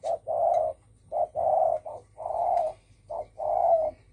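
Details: Cooing of a spotted dove in the 'đồng thổ sấm' style, a call meant to provoke other birds: steady mellow coos in short-long pairs, each long note sustained and slightly quavering, about six notes with low background hum.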